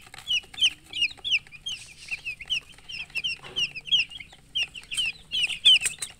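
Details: Several chicks chirp loudly and steadily, each peep a sharp, high note sliding down, packed close together in an excited stream, with a brief rustle midway.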